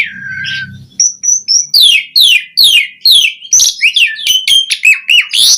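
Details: Asian pied starling delivering a varied song with fill-in phrases, used as a lure for other starlings: a wavering whistle, then a fast series of sharp downslurred notes, roughly two per second, speeding into clipped whistles.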